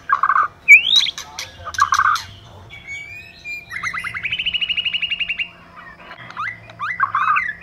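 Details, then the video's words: White-rumped shama pair, male and female: buzzy harsh notes, a rising whistle, sharp ticks, then a long rapid rattling trill of repeated notes before more buzzy bursts. "Choè lửa mái. Choè trống + mái kích lửa."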